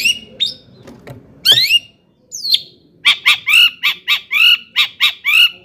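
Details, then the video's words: Long-tailed shrike song meant to excite rival shrikes: scattered harsh squawks and a sharp slurred note, then a fast series of about a dozen loud clipped notes, each ending with a lower downward slur. "kicau CENDET GACOR paling DI CARI cocok UNTUK PANCINGAN CENDET AGAR NAIK EMOSI"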